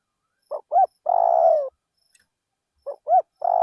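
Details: Spotted dove decoy bird singing in a rice field. A full phrase of two short notes and a drawn-out purring coo, a faint click, then a second phrase beginning with the same two notes.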